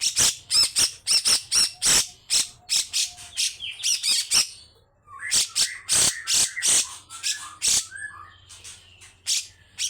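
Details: Grey-cheeked bulbul pouring out a rough, harsh song: quick loud scratchy bursts in steady runs, a short pause, then more bursts mixed with lower whistled and warbled notes.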